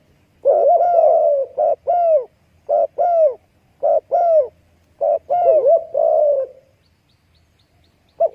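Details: Spotted dove cooing in short, mellow, low phrases. Each note bends up and then down, with pauses of about half a second, and the phrases repeat over eight seconds. The background is quiet.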